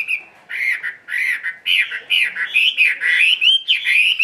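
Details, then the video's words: Tame caged Chinese hwamei singing solo at midday in the ngũ trường style: loud, rich whistled phrases repeated rapidly, rising and falling, about two per second, with no other sounds. "HM 320 ngũ trường siêu mẫu thuần đét solo giữa trưa"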